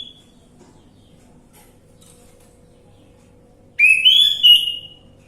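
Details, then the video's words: Lure song of the orange-headed thrush to get a silent bird singing: after a quiet stretch with a faint hum, one loud rising whistled phrase with warbling notes. "Pancingan Anis merah macet bunyi"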